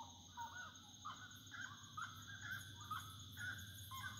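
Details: Wood rail singing at nightfall: rapid series of short rising notes about twice a second, each ending in a sharp upturn, over a steady high insect drone and low rumbling background.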